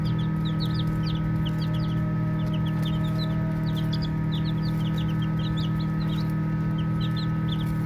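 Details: Group of baby chicks at play, giving bursts of quick high downslurred peeps in loose clusters with brief gaps between, over a continuous low droning background hum.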